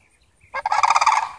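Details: A family of Sandhill cranes visiting gives a brief rolling, rattling call: a quiet faint note, then a loud burst of rapid pulses lasting under a second.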